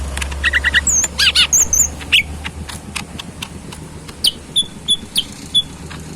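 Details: Caged, tame cucak mini leafbird in full song: a few quick doubled chirps and twisting whistles, then a pause and spaced high downslurred whistles about every half second over ticking and steady low hum.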